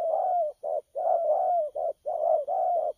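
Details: Caged spotted dove, 12 October 2019, in a burst of rapid low cooing. Warbling drawn-out coos alternate with short clipped notes, filling the whole three seconds.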